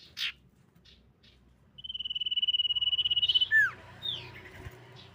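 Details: Lure song of a female common iora, meant to draw other birds into answering. A brief chirp comes first, then a prolonged trembling whistle on one high pitch, a swooping downward note, and a closing upslurred chip.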